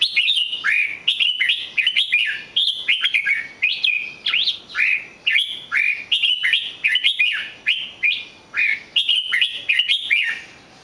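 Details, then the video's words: Red-whiskered bulbul singing steadily, a continuous stream of cheerful whistled phrases, each a short up-and-down warble, repeated roughly twice a second with hardly a pause. "chào mào hót cực hay"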